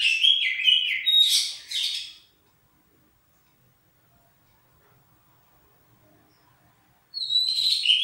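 Oriental magpie-robin pours out a rich, fast medley of clear whistles and scratchy trills for two seconds, falls silent for five, then resumes.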